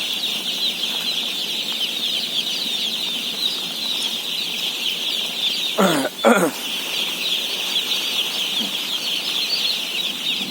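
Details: Day-old chicks, about 17,000 of them, peep constantly at feeding in a high, dense chorus; two brief loud clattering knocks interrupt it just past halfway.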